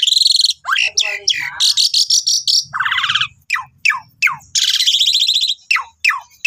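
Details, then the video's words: Asian pied starling master song used to train cage birds, a rapid, varied run of harsh buzzy bursts, steep falling whistles and chattering notes, loud and close with no other sounds. "Guru vocal Jalak Suren Gacor"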